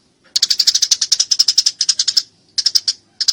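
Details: Fighting Eurasian tree sparrow giving a long string of quick, high, metallic chirps for almost two seconds, then two shorter clusters of rapid notes after a brief gap. No background sounds.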